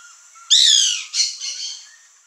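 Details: White woodpecker (Melanerpes candidus) among backyard fruit trees giving a loud, harsh, rasping call, a strong burst followed by a shorter second phrase that fades out.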